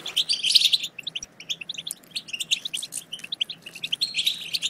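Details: European goldfinch song for stimulating goldfinches to sing: an opening burst of bright, jingling twitter, then a series of quick separate chirps, ending in another rich tinkling burst.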